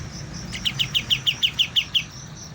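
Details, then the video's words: Young white-eye just beginning to learn its song: a short run of about nine sharp, high chirps repeated evenly several times per second, over a low background hum. "BURUNG KAPAS TEMBAK MUDA, mulai belajar bunyi"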